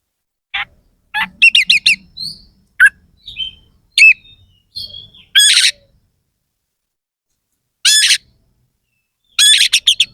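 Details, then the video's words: Oriental magpie-robin giving sharp, rough fill notes used to fire up rival birds: scattered clicks, whistled slurs and buzzy chattering bursts, spaced by silent gaps of one to two seconds. "Suara kacer gacor NEMBAK ISIAN KASAR/Bikin semua KACER jadi EMOSI"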